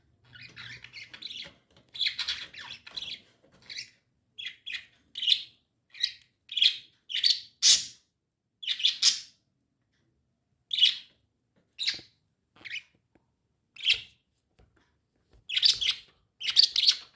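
Pet lovebirds give shrill, squawky chirps in quick bursts, with short pauses between them.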